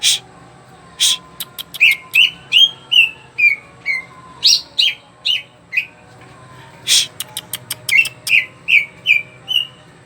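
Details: Greater green leafbird singing energetically, a brisk series of sharp chips alternating with short clear downslurred whistles. A brief pause midway is followed by another rapid run of chips and sweet whistled notes.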